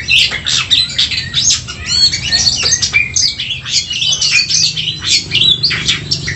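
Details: Fighting song of the oriental magpie-robin (kacer), meant to provoke emotion: busy, scratchy high warbling mixed with clear whistled slurs, delivered in a continuous rush, with a soft low hum beneath.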